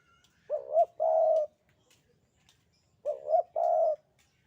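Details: Two matching phrases from a Javanese spotted dove, 'sandungan kuk 2' style, about two and a half seconds apart. Each phrase is a quick double warble and then a held, steady, hollow coo. The background is quiet.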